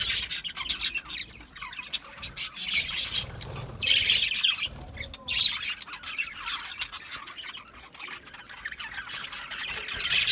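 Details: Flock of budgerigars eating seed mix, with bursts of raspy squawking and warbled chirps separated by quieter gaps of soft twittering.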